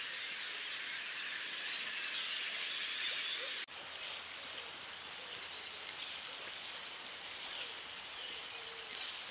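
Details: Common kingfisher (Alcedo atthis) calling: piercing, thin high whistles, single or paired, repeated irregularly for several seconds over a faint background hiss.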